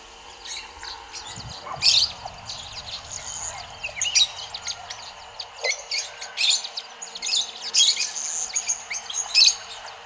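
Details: Several rosy-faced lovebirds feeding at Kyalami, Midrand, near Johannesburg, thought to be aviary escapees, eating Syringa berries, Yellowwood and California Pepper fruit. Near-continuous shrill chirping and chattering, loudest in repeated high bursts, with a brief low thump early on.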